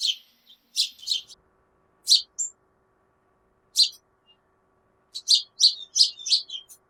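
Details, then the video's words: Noisy backyard house sparrows: irregular bursts of quick chirps, clustered in twos and threes, then a rapid string of five near the end, with a faint steady tone behind. "House Sparrow Sounds and Calls"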